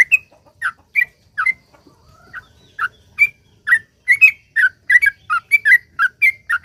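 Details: Sooty-headed bulbul singing at length to prompt other bulbuls: sparse whistled notes at first, then quickening into a dense run of paired, rising and falling whistles.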